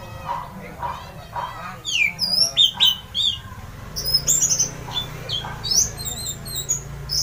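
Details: Orange-headed thrush singing loudly, a song said to stir other birds into song: low speech-like notes at first, then clear whistled phrases and sliding high notes, mixed with low background hum.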